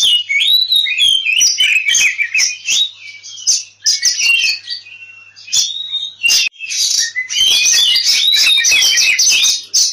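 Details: Fighting song of an oriental magpie-robin, played to spur other birds to sing: a rich, nonstop jumble of shrill whistles, rapid twitters and scratchy buzzes, loud and high, with short gaps between bursts.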